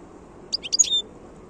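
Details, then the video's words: Wild European goldfinch recorded in 2022: one brief burst of high, tinkling notes over a steady background hiss. "chant chardonneret sauvage 2022"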